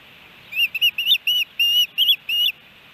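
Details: Osprey at a Missoula, Montana nest in Hellgate Canyon on July 13, 2018, a three-fish day; seven short whistled notes, some bent or doubled, given about three per second over quiet background.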